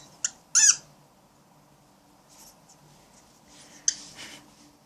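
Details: Grumpy cockatiel protecting its cat friend indoors in a small room: a short harsh squawk, then a louder burst of rasping squawks, a quiet pause, and another sharp squawk near the end.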